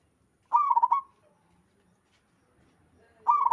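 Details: Local zebra dove with lively melodious cooing: a half-second rippling trill, quiet gap of two seconds, then another phrase begins.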